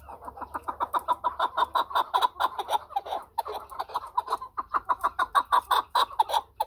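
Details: Long unbroken string of rhythmic clucking notes from a chukar partridge, fast and evenly paced, each note sharp and throaty with ringing overtones, with little other sound.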